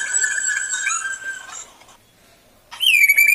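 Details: Male black drongo in full song as a lure for other birds: a steady, ringing harmonic whistle lasting over a second, a brief silence, then a loud downslurred whistled note.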